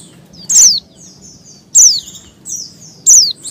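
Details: Breeding-condition female Oriental white-eye calling males, giving three sharp high notes that slide steeply downward, spaced about 1.3 seconds apart, with faint thin whistles between them over a low steady hum.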